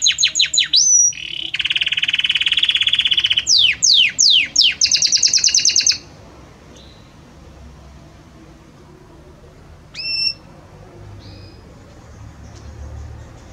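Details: Belgian canary with many different notes: rapid downward-swept chirps, a dense buzzing trill, another run of sweeping chirps and a high fast roll, then near silence broken by a single whistled note.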